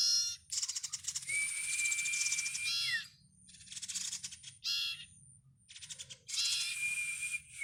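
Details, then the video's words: Bar-winged prinia chick calling: dense buzzy bursts of rapid harsh notes lasting one to two seconds, with a thin whistled tone running through them, separated by short silences. "Suara anakan burung sirtu/cipow."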